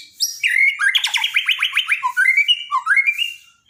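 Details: Loud, continuous song of a Borneo white-rumped shama, used as daily tutoring for silent shamas: a fast string of repeated clipped notes about five per second, then rising and falling whistled phrases fading out.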